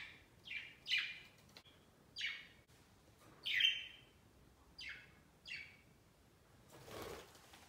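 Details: Pet budgies flocking onto a Christmas tree set beside their cage on Christmas Day; a run of seven clear, harsh chirps dropping in pitch, irregularly spaced, followed by a brief rustle of branches or wings.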